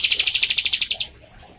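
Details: Captive bar-winged prinia, recorded to lure other birds into song: one quick run of about fourteen sharp, evenly spaced high notes lasting a second, then stopping.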